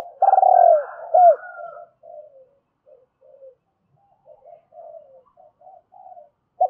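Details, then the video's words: Captive spotted dove cooing as a decoy to lure wild doves for trapping. A loud, pulsed, falling coo and a hooked note open the phrase. Quieter, scattered soft coos follow over several seconds, then a loud note returns. "Tiếng chim cu gáy mồi gáy gọi hai hậu dùng kích bổi rất hiệu quả"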